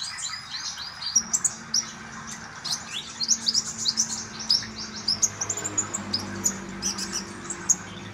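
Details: Common iora singing, a recording meant to prompt a caged bird into frequent song: dense high twittering with sharp, bright chirps in quick succession and a faint low hum underneath.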